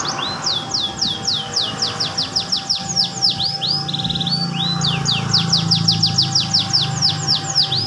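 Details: Canary delivering goldfinch-style song with long rolls: long series of high swooping notes, a brief buzzy trill midway, then more rapid slurs, with a steady tone and low hum behind.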